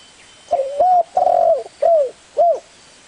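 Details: Low soft coos of a spotted dove, five hooting notes in about two seconds, one longer and fuller, the last ones short and arched, against a quiet background.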